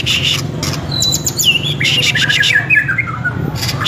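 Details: White-rumped shama singing vigorously in full song, a rich run of clear whistles, quick trills and sliding notes, high and varied across about four seconds, over a steady low hum.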